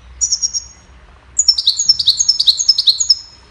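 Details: Cheerful goldfinch melody used for training songbirds: a short burst of four quick high chips, a brief gap, then a lively run of bright, slurred, jingling twitters repeated rapidly.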